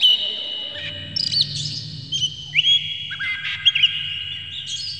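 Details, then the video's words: An agitated Oriental magpie-robin, tail spread and fluttering, gives long, sustained high whistles broken by short flicked notes and a few sharp chips. A steady low hum runs underneath. The song serves as a lure to set other magpie-robins singing. "dijamin kacer langsung ngamuk2 dengar kacer ini bongkar emosi buka ekor ngobra full isian"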